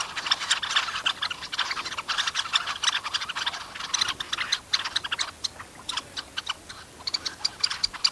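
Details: Red-necked phalaropes at Sorbulak lake in Almaty region, Kazakhstan, give a rapid, irregular chatter of short, sharp, high ticking notes, several overlapping at once.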